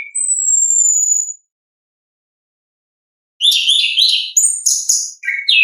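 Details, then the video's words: Orange-headed thrush in its natural voice singing in ngeplong style: a long, thin, high whistle gliding slightly downward, a two-second silence, then a dense burst of varied high twittering and chattering notes. "ANIS KEMBANG GACOR, pancingan suara asli alam anis kembang"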